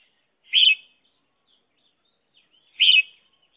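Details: Red-whiskered bulbul used as a lure for trapping, giving two matching short, bright chirps a little over two seconds apart against silence.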